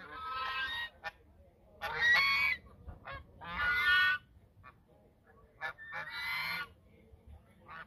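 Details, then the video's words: Geese at the mouth of the Sosúa River, Dominican Republic, calling in a duet: harsh, nasal honks in bursts of about a second, alternating with short quiet gaps, four main bouts across the recording. "El canto de los gansos desde la boca del río Sosúa"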